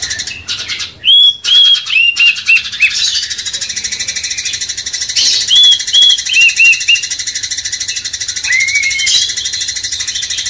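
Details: Sooty-headed Bulbul singing as a master track to rouse a magpie-robin: a few sharp notes, then bursts of short level whistles in groups, a long quieter stretch, and a final rising phrase, over hiss.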